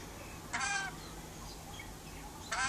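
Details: A verandah-kept pet rainbow lorikeet calling toward outdoor birds: a harsh screech near the start and another at the end, with faint whistles from other birds in the quiet stretch between.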